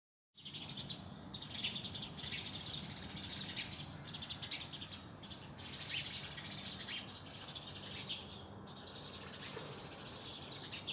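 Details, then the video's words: Many birds singing and chirping in spring: dense, overlapping high twittering and chirps in bursts that continue almost without pause, with a steady low hum beneath. "Birds Singing and Chirping Merrily"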